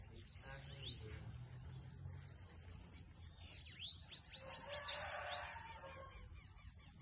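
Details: Bananaquit singing, meant to stimulate a pet bird: shrill, insect-like trilled phrases at the top of the range, then a run of descending thin slurs, with faint voices in the background.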